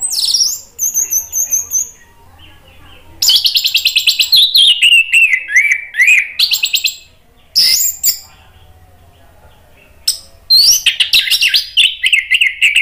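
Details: Orange-headed thrush song used to coax a bird into singing: loud, varied phrases mixing rapid buzzy trills, descending chattering runs and high thin whistles, delivered in bursts separated by short quiet gaps.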